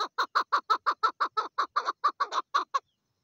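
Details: Rapid clucking series from a female chukar, around fifteen evenly spaced harsh notes in under three seconds, then silence.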